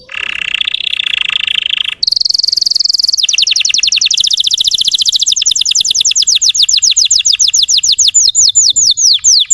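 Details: Russian canary singing to provoke untrained canaries: a dense buzzy roll, then a bright steady trill breaking into fast repeated downward-sweeping whistles that slow toward the end.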